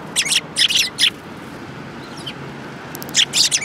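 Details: Sparrows gathering at food at a Tenmangu shrine on 22 January 2018, in winter. Short bright chirps arrive in three quick clusters at the start, then a pause with a faint call, then another burst of overlapping chirps near the end.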